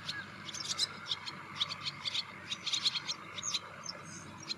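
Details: Wire-tailed swallow giving a rapid series of short, sharp, high chirps and twitters, several per second, over a steady background hum of insects or distant birds.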